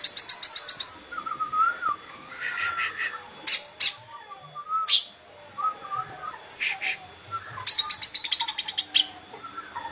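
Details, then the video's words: Green leafbird opening with a fast chattering trill, then warbled whistles, sharp broad bursts, and another rapid rattling series. "Dijamin Cucak ijo anda pasti ikut bunyi"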